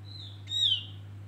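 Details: Male opior jawa, the Javan grey-throated white-eye, singing as bait to attract birds: one rich whistled note that starts with a sharp onset and then falls in pitch, following a faint thin whistle, above a low hum.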